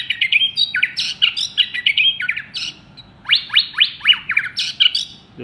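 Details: Champion contest white-rumped shama, one molt old, kept for sale, singing loudly: rich, varied phrases of quick whistled slurs and sharp down-slurred notes, bursts repeated with brief pauses.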